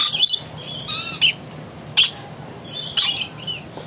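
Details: A Blue-streaked lory climbing through a bush gives harsh, high screeches and shrill squawks, roughly one a second, with a person talking quietly in the background.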